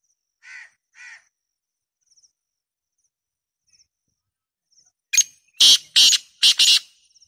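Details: Loud black francolin call: a sharp clipped note, then three harsh rasping bursts spaced about half a second apart, preceded by two fainter distant grating notes and thin high chirps in the background.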